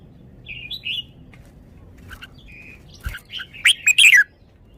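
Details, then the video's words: Red-whiskered bulbul kept caged, praised for good style and phrasing: brief whistled notes and a short steady tone, then a loud burst of rich, quick, warbling syllables at the end. "นกกรงหัวจุก จ้าวมาดี สำนวนดี"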